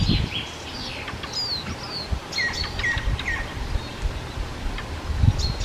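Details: Ring ouzel in the Krkonoše mountains of the Czech Republic in early June, where it breeds in mountain forest up to the tree line. Clear whistled notes and short sweeping phrases sound over a low outdoor rumble.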